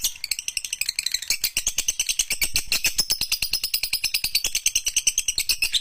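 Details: Lovebird song of the long-chatter ekek panjang kind, used for training: an uninterrupted, rapid clicking rattle of high, harsh notes at an even tempo, loud and close.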